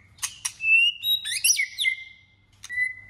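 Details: Competitive singing of a White-rumped shama during voice training: clicking notes lead into a long sustained whistle, then a tumbling cluster of varied whistled notes and a final steady whistle.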